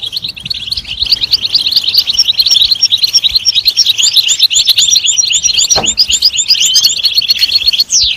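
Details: European goldfinch song: a dense, continuous high twittering of rapid chirps and tinkling notes, with a brief lower sound near the sixth second and a rising whistle at the very end.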